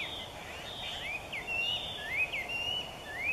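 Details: Loud morning song of a Chinese Hwamei near Niiharu Citizens' Forest, Japan: quick sliding whistles, some rising sharply and others dipping, strung together with varied notes and uneven spacing over a low constant hum.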